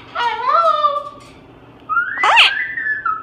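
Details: A pet parrot kept indoors, after spotting a Moluccan cockatoo, utters two whistled notes: a bent, sliding tone, then a rising whistle broken by a short squawk.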